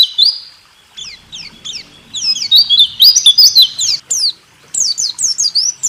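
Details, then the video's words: Caged-bird training recording of white-eye song: bursts of high, sharp descending whistles in fast chattering phrases, separated by short pauses, with a faint low background hum. "Masteran burung pleci..rool tembak terbaru 2023"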